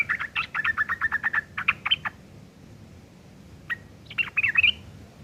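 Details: Rough chattering of a sooty-headed bulbul, used to tutor long-tailed shrikes: a fast run of about a dozen harsh clipped notes, a pause of nearly two seconds, one short note, then another scratchy cluster.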